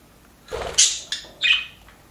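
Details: Happy budgies in an aviary chattering: two sharp, high chirps half a second apart, each preceded by a soft scratchy rustle, in a quiet setting.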